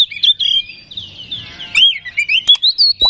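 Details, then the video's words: Oriental magpie-robin lure song for provoking singing: smooth gliding whistles, then a lively sequence of short looping notes repeated in quick succession. "Suara Pancingan Kacer Agar Cepat Emosi Gacor ! Pancingan Paling Ampuh Buat Menaikan Emosi Kacer"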